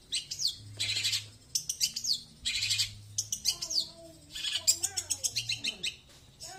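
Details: Slow 'tembakan' singing by a long-tailed shrike: clusters of quick high chirps and steep downslurred whistles in separate bursts, with a wavering mid-pitched warble near the end and a low steady hum beneath.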